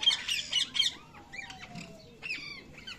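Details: Baby parrot chirping: a burst of rough, rapid squawks, then scattered thinner bent whistles and faint harmonic calls, with a long faint falling tone in the background.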